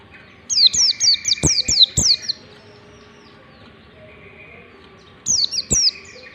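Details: White-eye giving ngalas-style song meant to teach young white-eyes: a fast string of about six bright, high down-slurred whistles, a pause of three seconds, then two more notes, over a faint continuous hum.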